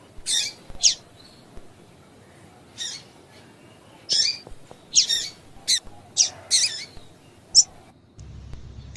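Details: Female double-collared seedeater giving calls that prompt males to sing: a steady series of short, piercing high chips, often in twos, about a dozen in all, with a soft low hum near the end.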